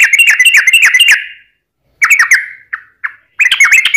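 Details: Sooty-headed bulbul in energetic fighting-style song with long rolling phrases, used as a lure to make other birds answer: bursts of quick slurred chirps with bright overtones, broken by short silences and a few single clipped notes.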